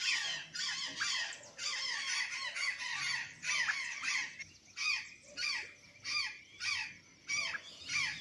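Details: Azure jay eating banana and sweet potatoes at Santa Catarina: harsh, scratchy calls, crowded and overlapping at first, then spaced out as single rasping notes roughly every half second.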